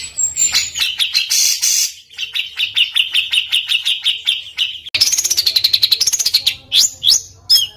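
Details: Bird song with coarse, tightly packed rolls, used to tutor competition birds: a steady rapid rattling trill, then an abrupt switch to a higher wavering trill and a few upward-swept whistles.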